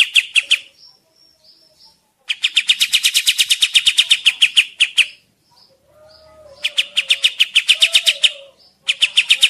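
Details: Kapas tembak bird, recorded as a trapping lure for forest use: long, rapid runs of high, sharp chipping notes, about four a second, separated by quiet gaps with faint soft calls.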